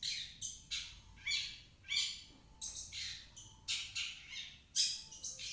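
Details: Long-tailed shrike song used to lure a reluctant shrike into singing. Loud raspy squawks come in separate bursts with short gaps, and faint thin whistles sound between them.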